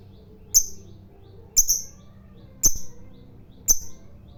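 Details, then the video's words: Fighter lovebird giving four sharp high chirps spaced about a second apart against a quiet background. "Suara BURUNG LOVEBIRD FIGHTER NGEKEK PANJANG,Memancing EMOSI Lawan Agar BUNYI Ngekek"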